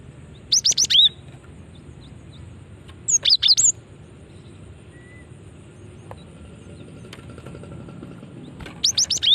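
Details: Lure recording of a female cinereous tit meant to draw responses from other birds of its kind. Three spaced bursts of shrill, high chirps, each a rapid run of several notes.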